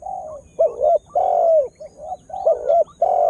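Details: Spotted dove in voice as a lure to draw wild birds: steady throaty coos, a quick double note then a long drawn coo that dips at the end, cycling twice in three seconds, with a faint constant high tone.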